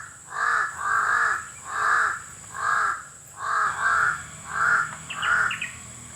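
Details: Harsh, drawn-out caws from a crow, known locally as uwak, repeated roughly every 0.7 seconds, some doubled; a small bird chirps briefly near the end over a constant shrill background whine.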